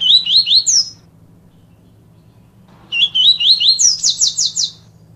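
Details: Double-collared seedeater singing the tui tui viviti song style: two high phrases of quick wavy whistled notes, the second ending in a fast buzzy trill, separated by a two-second pause, over a low steady hum.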